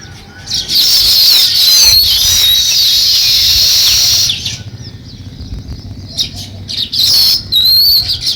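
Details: Sparrows starting nest building, giving loud bursts of high chattering chirps that pause for a few seconds of near quiet, then resume in short outbursts.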